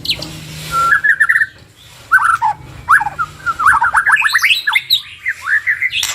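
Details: Song of a white-rumped shama pair, offered as a full-repertoire lure for practice. Broken phrases: a short whistle with a run of rising chirps, pauses, then an accelerating series of upslurred notes climbing higher.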